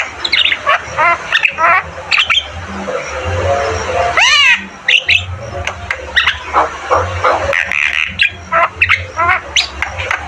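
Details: Lively Javan myna song: rapid chattering notes, rasping squawks and scattered whistles, broken by one long, loud, rising and falling harsh note near the middle, with a low hum throughout.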